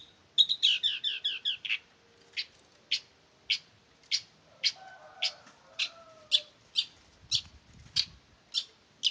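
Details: Male long-tailed shrike from Ngimbang, Lamongan: a quick burst of buzzy chattering notes, then sharp high chips repeated about every half second, with faint lower whistles behind.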